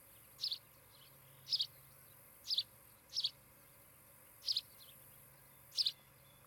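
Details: Osprey pair at their nest near Charlo, Montana, picked up by a nest camera on the afternoon of 16 July 2018: six sharp, high chirps, each a quick double note, spaced roughly a second apart over steady low background hum.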